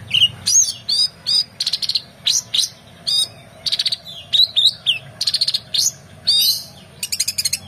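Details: Oriental magpie-robin in energetic full song, used for tutoring competition birds: a fast series of varied whistled and chattering phrases, clear rising and falling notes with buzzy trills, short bursts about every half second, faint low hum beneath.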